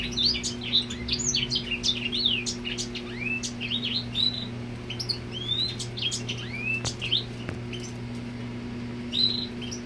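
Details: Courting male Grey Singer directing song at a female, rapid bright chirps and rising whistled slurs in bursts, with a short pause near the end and a faint low hum behind.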